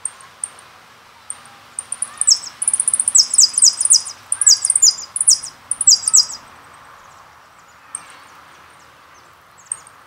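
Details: Jilguero song from a CD called Carasucia: thin high chips, then about four seconds of rapid downward-slurred phrases and short buzzy trills, fading back to occasional single notes.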